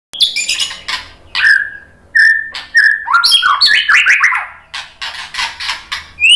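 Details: White-rumped shama song used as a lure (pancingan) to rouse other shamas into answering. It opens with a fast, high scratchy burst, then steady whistled notes and falling slurs, and ends on a rising whistle.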